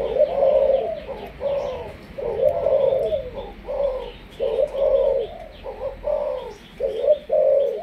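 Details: Caged spotted dove of Malaysian stock, a bird offered for training as a decoy, giving deep, throaty cooing phrases in rolling bursts, each a few notes, separated by brief pauses, indoors with faint background hiss.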